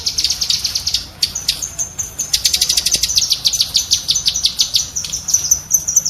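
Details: Cucak kinoi bulbul chattering for tutoring caged songbirds: shrill staccato notes fired in rapid runs, with one brief dip after the first second.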